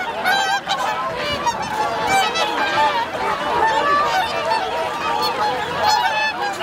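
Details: Swans wintering at Lake Hyoko, Niigata Prefecture, Japan, on 8 January 2022, about 2628 birds counted; continuous chorus of overlapping bugling honks, some faint human voices in the background.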